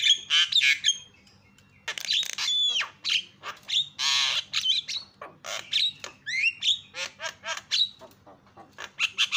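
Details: Lure recording of a Javan myna meant to set other birds calling: loud rasping squawks alternate with slurred whistles and chattering notes in quick, uneven bursts, with a brief pause near the start and a low background hum.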